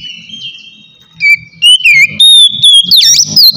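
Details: White-rumped shama relaxed song for luring wild birds; a long steady whistle, then louder sliding whistled notes and a final swooping phrase over soft low background noise.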